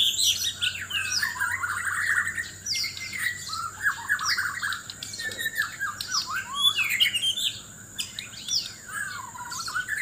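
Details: ['White-rumped shama, Sabah, Borneo, seeking a mate with loud competitive singing: varied whistles, slurred down-slides and harsh chattering notes flowing continuously, a constant high whine in the background.']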